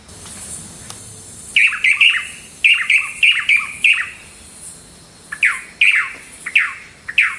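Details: Swallow-tailed Manakin (Pipra caudata), endemic to southeastern Brazil's Atlantic forest, gives crisp, bright whistled notes in quick clusters, about a dozen short calls over several seconds, with faint high background hiss.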